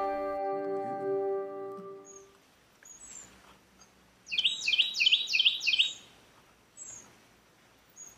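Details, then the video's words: In Virginia, USA, during spring, a Carolina wren in the background of outdoor bonsai work gives a loud, rolling song of four or five quick repeated phrases, with a brief tonal hum before it and faint chirps after. "bird in the background yelling "chernobyl chernobyl chernobyl... ""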